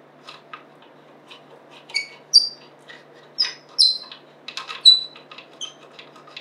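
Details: African grey parrot kept as a pet since December 2020, indoors on September 14, 2024, between bouts of talking: a scatter of high thin squeaks and bright chirps with soft clicks, irregular, about one per second.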